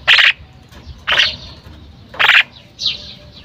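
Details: Female common myna calling: three loud, harsh, broadband squawks about one second apart, followed by a short descending whistled note, over faint low background rumble.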